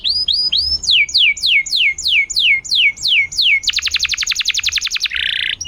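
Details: Canary in full song, on a recording meant to prompt silent canaries to sing again: a run of about ten clear whistles sliding steeply downward, then a fast even trill of rapid notes and a short buzzy rattle.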